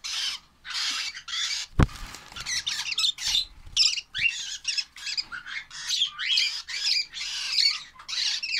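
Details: Lovebird chicks give raspy, scratchy squawks in quick succession, with a single sharp knock early on and a few rising chirps among the harsh notes.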